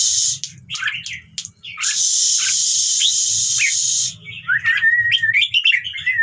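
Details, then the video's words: Red-whiskered bulbul song used to make other birds sing along. Sharp chirps sit under a loud stretch of hissing noise, then a clear, jaunty warbled phrase follows once the hiss stops. "เสียงนกกรงหัวจุก #เปิดแล้วคึก นกร้องตาม"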